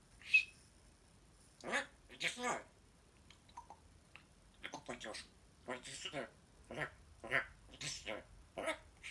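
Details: A talking grey parrot in the morning speaks in short, speech-like bursts of words about every half second to a second, with one brief clear whistle at the start, indoors.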